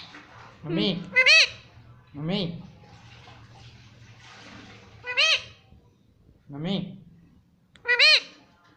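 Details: Pet Indian ringneck parrot calling "Mummy", short wavering syllables repeated roughly every one to two seconds, some in pairs, over a low hum and soft background noise.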